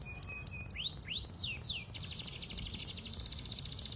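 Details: Canary song used as a lure to prompt another bird into singing: high thin notes and sweeping whistled slurs, falling and rising, then a fast, buzzy, rapidly repeated trill held steady to the end, over faint background noise.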